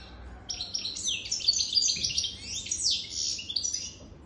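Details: European goldfinch more than three years old singing: after a brief quiet start, rapid tinkling and buzzy twittered notes tumble in quick, irregular succession, high and bright, over a soft hiss of background noise.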